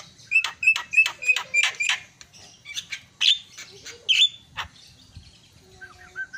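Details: Myna sounds played to stir a silent myna into calling: a rapid series of clicking, buzzy chatter notes, then a few louder rasping calls and a faint whistle at the end.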